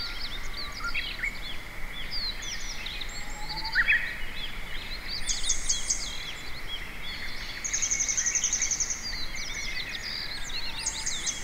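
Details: Grey wagtail singing contentedly in an empty parking lot: rapid, thin, high chirps and sharp twittering bursts, with a steady buzzy trill near the end, over a constant droning hum.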